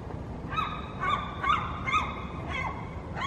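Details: Gulls calling in the morning fog in January 2020, short nasal upward-inflected notes repeated about twice a second against a constant low rumble.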